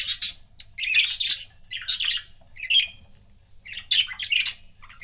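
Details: Two pet budgerigars chattering busily, with loud scratchy warbles and squawky chirps in quick clusters separated by short pauses.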